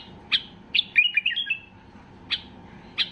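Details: A white-eared bulbul singing in high excitement to draw song from other bulbuls: a sharp note, a quick descending run of whistled slurs, then two more isolated sharp notes.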